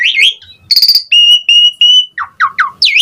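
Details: Song of the jalak suren, or Asian pied starling, used to stimulate other birds: a warbled start, a harsh burst, three level sustained whistles, then three short falling notes and a final upswept whistle.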